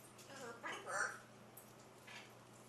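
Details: Macaw chattering away in a speech-like voice, with a short burst of garbled, talk-like syllables and a louder central squawky phrase, over a steady low indoor hum.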